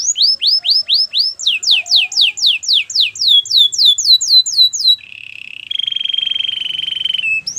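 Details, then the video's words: Canary singing a training song: a long series of loud descending whistled sweeps, about four per second, followed by a rolling buzzy trill and a sustained harsh trilled tone. "Canary's training song"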